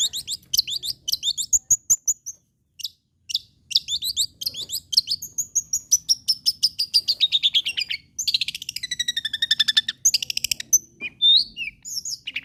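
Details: Lively long-tailed shrike song played to encourage other shrikes to keep calling: rapid high chips and trills, then a long falling whistled sequence of quick repeated notes, ending in varied swooping whistles and chatter.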